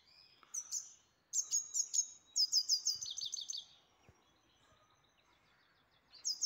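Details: Grey-headed goldfinch, a pet bird in Istaravshan, sings rapid high tinkling trills and repeated metallic chirps in tight clusters, then falls silent briefly before another burst begins.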